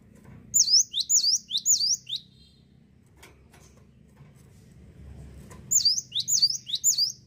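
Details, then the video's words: Cinereous tit singing two quick bursts of high, sharply slurred notes in 'ngetroll' style, with a quiet gap and a low background hum between them. "GELATIK WATU GACOR NGETROLL"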